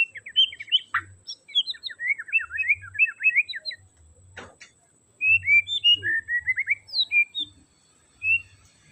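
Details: White-rumped shama song used to rouse a quiet shama: many quick varied whistles and chirps in bursts, one sharp click mid-way, then more fluty rising and falling notes.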